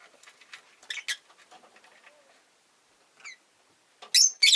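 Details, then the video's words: Rosy-faced lovebird chirping: scattered faint ticking notes, a short sharp chirp near the middle, then two loud, harsh, buzzy chirps close together at the end. "Lovebird Chirping Sounds"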